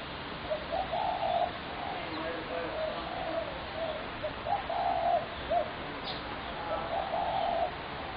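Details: Spotted dove recorded on 21 January 2017, its calls described as a horrendous racket: a series of low, soft cooing phrases repeating across the clip, with faint higher chirps from other birds behind.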